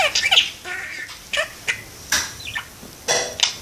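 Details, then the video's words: A pet parakeet sitting in a window talks and sings, chattering in quick, scratchy bursts broken by short whistled notes, with bright, rasping phrases about every half second to second. "parakeet talks and sings"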